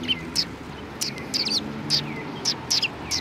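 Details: Sparrows recorded at a Tenmangū shrine on 1 March 2020, giving clear, sharp, slightly descending chirps, roughly two or three per second in loose sequence, above a faint low hum.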